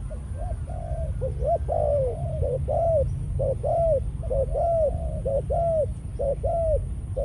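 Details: Spotted dove decoy male of Malaysian stock, caged, in breeding mode after ground feeding. It gives a long, evenly spaced string of soft, arching coos, roughly one per second, above a continuous low rumble.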